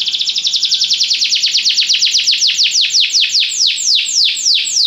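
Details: Belgian canary in song training delivers a long run of loud, high descending slurred notes, starting fast and gradually slowing to about four per second.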